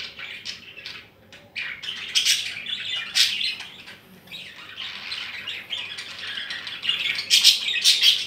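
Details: New budgerigars in a bigger cage chatter in a steady stream of scratchy warbles, squeaks and sharp chirps.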